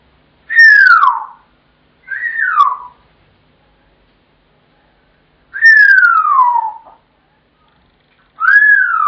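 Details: Pet African grey parrot calling out at home after its owner gets back from work, before being fed: loud descending whistles, each sliding downward over about a second, four in all with pauses between.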